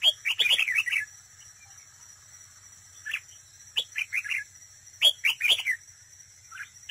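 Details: Decoy red-whiskered bulbul at a trap in competitive singing, delivering bursts of rich, bubbly whistled phrases with pauses between them, three main phrases of quick chirping notes, background otherwise quiet.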